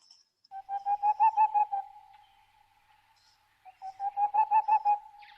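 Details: A male boreal owl in the Pyrenees gives its territorial song, two quick runs of about eight soft, hollow hoots, several per second, separated by a pause, like a melancholy hoopoe-like babble. A faint high chirp is heard early on.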